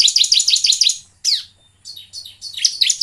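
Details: Bar-winged prinia song used as a lure to get birds singing: a rapid run of about seven high, sharp chirps, then a single downward-sweeping note, a pause, and further bright chirped phrases.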